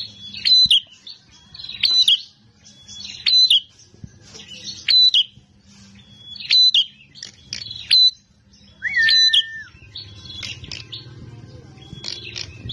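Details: Fighting bar-winged prinia delivering a steady series of sharp whistled notes with downward slurs, about eight phrases spaced roughly one and a half seconds apart, one lower drawn-out whistle midway, faint background hum.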